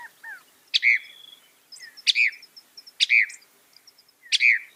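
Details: Masteran recording of a northern mockingbird, reputedly able to copy 200 sounds: loud sharp chip notes with a dropping slur, repeated roughly once a second, with faint high ticks between them.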